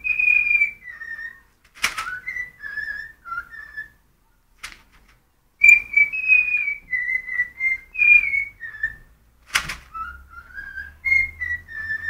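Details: Pet cockatiel singing when hungry: a series of clear whistled phrases, mostly level or gently falling notes strung together with short pauses, plus a few sharp clicks or taps.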